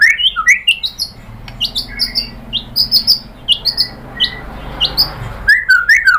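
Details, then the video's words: White-rumped shama (murai batu) song used as a lure to provoke other shamas into answering and singing their full repertoire: rapid rising and falling whistles with sharp chips, a brief pause, then bright trills; faint low hum behind. "pancingan AMPUH‼️ MURAI BATU ikutan NYAUT GACOR BONGKAR MATERI"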